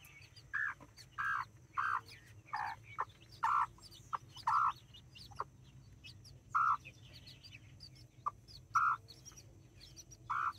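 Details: Two mother hens with nine chicks, four of them mini chickens and five Brahma, in a Colombian backyard: a series of about a dozen short nasal clucking calls, fairly regular, over faint high chick peeping.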